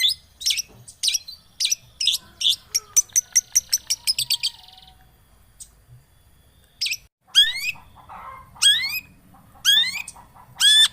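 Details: Shrike lure song aimed at a silent long-tailed shrike: sharp chirps quicken into a fast train of ticking notes, a pause, then loud harsh rising slurred calls repeated about every second.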